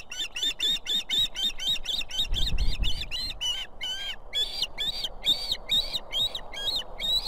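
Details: Female osprey at a nest with two chicks in Estonia, 18 July 2016, calling the male to bring food: rapid run of sharp whistled chirps, about two per second, continuing steadily throughout, with low rumbling background noise.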